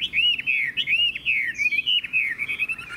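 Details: A captive Chinese hwamei pours out its strong "hót hét" song. Dense, warbling whistled notes tumble together almost without pause, with a brief higher slur near the middle.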